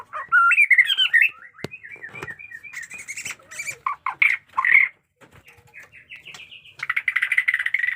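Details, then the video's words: Jenggot Dewa white-rumped shama pouring out looping whistled phrases, then harsh rattling notes and strong squeaky slurs, closing with a rapid buzzy trill. "pesona AURA MURAI BATU JENGGOT DEWA fighter abis Batuk Koral, Muntah beling murai bisu ngikut nYaut"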